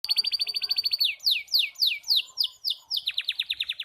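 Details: Young canary still learning to sing, its song broken and unfinished: a fast run of high trills, then a series of sweeping downward whistled notes, ending in quick repeated chirps.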